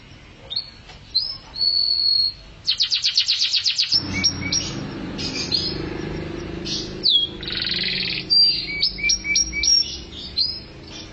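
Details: Canary in 'mabok teler' song: short high whistles and a sustained tone, then a fast rattling trill, followed by scattered chirps and upswept whistles over a low background rumble.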